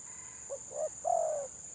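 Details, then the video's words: Spotted dove giving a brief stuttering 'gagap' phrase: two short clipped coos followed by one longer mellow coo, with a faint steady high whine. "BURUNG TEKUKUR GAGAP VS GAGAP"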